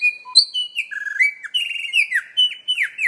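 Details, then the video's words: Mimicking lyrebird with a beatbox feel: a continuous string of bright whistled notes that step up and down, many ending in quick downward slurs, fluent and melodic. "Beat Boxing LyreBird"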